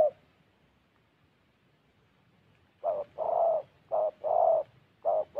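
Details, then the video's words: Spotted dove from Gia Lai, Vietnam, cooing: low hollow coos, a short note then a longer one, repeated in pairs after a quiet start. "Gác cu gáy"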